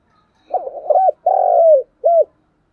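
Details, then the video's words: Spotted dove kept as a decoy, cooing hard in the 'thúc gù sung' style: a single low three-part phrase with a rough opening burst, a sustained throaty coo falling slightly at the end, and a short closing note. "Chim Cu Mồi thúc gù sung"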